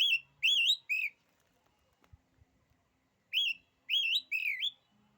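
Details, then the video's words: Song of an oriental magpie-robin claimed to make other magpie-robins shrink back: bright looping whistles in short bursts of two or three, a quiet gap with faint clicks, then another run of warbled whistled phrases. "kicauan kacer ini, bikin nyali kacer lain jadi ciut."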